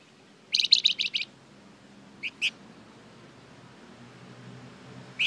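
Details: Flamboyan bird recorded as a lure for other birds to answer: one fast burst of about six loud, high chirps, followed after a pause by two spaced single notes and one more near the end.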